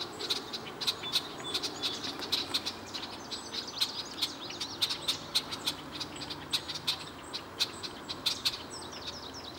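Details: A male and a female Red-winged Blackbird perched at Chippewa Nature Center call with crisp, clicking chips about every half second, over faint high twittering and a steady background hiss.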